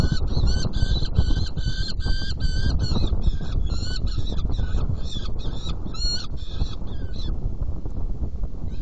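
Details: Saker falcon at a nest box during feeding, 17 June 2018 at 10:31: a rapid series of harsh, harmonic calls repeated several times a second for about seven seconds, then stopping, over heavy low rumbling noise.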